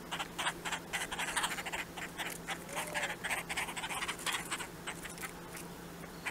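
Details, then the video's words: Two Red-bellied Woodpeckers give harsh, rolling churr calls, about four rough notes a second, over a faint steady low hum. "2 Red Bellied Woodpeckers"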